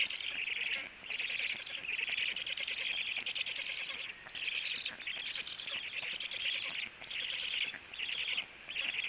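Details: Male black stork back home at the nest at 18:16, feeding; repeated hoarse, hissing high calls, about one burst per second, pausing now and then before resuming.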